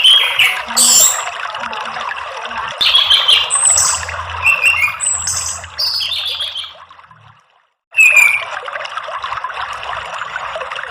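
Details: Orange-headed thrush song played as a lure to set other birds singing: bright whistled notes and chattering phrases in bursts, a brief silence near the seventh second, over a constant rushing, water-like background.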